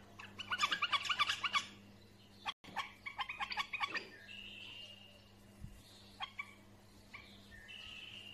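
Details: Bulbul song in fast chattering bursts of sharp chirps, a short pause, more rapid notes, then scattered thin whistles and single chirps over a faint low hum.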